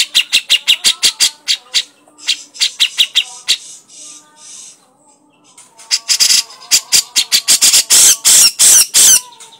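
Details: Grey-cheeked Bulbul in crecetan style: fast dry ticking notes, a softer muddled stretch, then loud harsh rasps alternating with sharp clicks.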